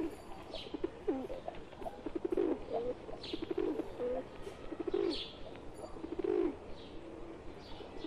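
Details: A group of pigeons, wild birds joined by one pet, cooing in soft, rolling low bursts roughly every second, several voices overlapping, with faint higher notes above.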